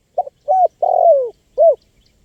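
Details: One complete spotted dove phrase for luring wild birds: a short stuttered note, a level coo, a long coo gliding downward, then a crisp short coo.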